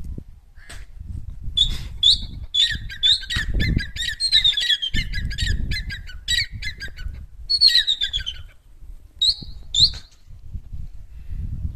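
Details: Francolin calling in jungle: a loud series of harsh, squawky, grating notes repeated rapidly for about seven seconds, then a few short bursts near the end, with low rumbling background noise.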